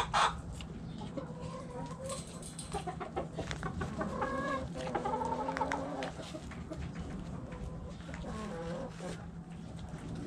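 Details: Backyard chickens in the coop: several hens overlap with drawn-out, nasal, wavering calls and soft clucks, with a steady low hum behind them.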